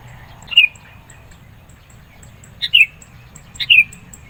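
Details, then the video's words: Sooty-headed bulbul singing to provoke rivals and attract birds: three short, clear whistled notes, each dropping in pitch, spaced about one to two seconds apart, with faint high ticks in the background. "SUARA BURUNG KUTILANG GACOR NGOTOT. MENEKAN LAWAN, CEPAT RESPON.."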